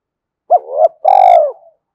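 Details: Spotted dove coo played as a lure: an arched note running into a rising hum, then a long pulsing coo that falls away, close and clean.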